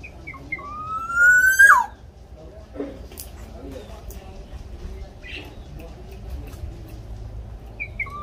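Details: Local Javanese black-naped oriole (kepodang), a lively singer, played to prompt caged orioles to start singing. One loud, rich whistle slides upward for about a second, then drops sharply. A few faint short notes follow over a low rumbling background.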